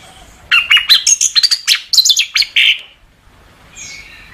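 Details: Orange-headed thrush (anis kembang) master song for tutoring caged birds: a rapid, varied two-second phrase of sweet whistles, sharp chips and slurred notes, ending in a burry note, followed by a softer distant whistle.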